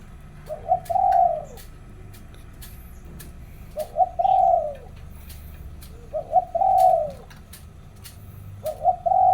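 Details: Zebra dove morning song: four separate phrases, each a short stuttered lead-in note followed by a longer rolling, falling coo, spaced about every two and a half seconds, with low background hum and a man's voice.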